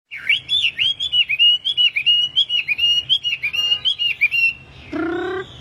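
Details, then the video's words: Tame wambi, a kept cage bird, singing actively as a training and lure recording for other wambi: a fast, continuous run of warbled, undulating whistles repeated without pause, ending in a short nasal, buzzy note. "BURUNG WAMBI GACOR || TERAPI PANCINGAN BURUNG WAMBI"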